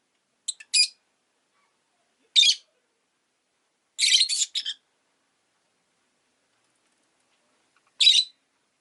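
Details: Rosy-faced lovebirds, five kept in a cage beside a window in winter, make harsh, buzzy squawks in four separate bursts, one a longer stuttering cluster, with silence between.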